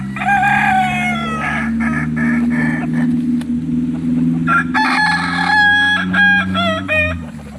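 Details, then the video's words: Kukuak Balenggek cock from Solok, West Sumatra, crows over a steady low engine-like hum. A long first crow is followed after a pause by a stepped crow of several broken, rising-falling segments. "Ayam kukuak balenggek akb ayam his asli solok sumbar"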